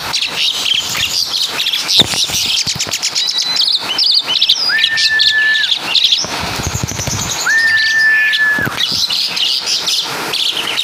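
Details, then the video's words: Javan-origin Asian pied starling singing a mimicked caladi and kapas tembak medley: busy chirping and scratchy twitters broken by two long, flat, sustained whistles each lasting about a second. "Burung Jalak Suren Full Suara Kapas TembaK"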